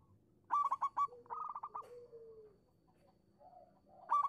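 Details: Lure recording of a singing local zebra dove: a brisk burst of clipped whistled coos, a quicker softer trill, and a lower drawn-out coo, then a pause before the next loud burst begins.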